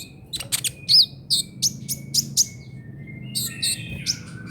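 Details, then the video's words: Trotol song of a Brown-throated sunbird used for training songbirds: a series of crisp high chirps at a steady quick pace, ending in a busier tangle of twittering notes. "KICAUAN KOLIBRI NINJA TROTOL UNTUK MASTERAN BURUNG BERKICAU"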